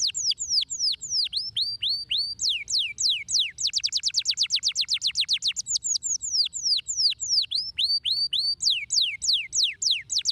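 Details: Singing canary, recorded for stimulating canaries to sing. High, clear whistled sweeps, each dropping steeply in pitch, are delivered in phrases. Slower swooping notes alternate with a long, very rapid run of repeated descending notes.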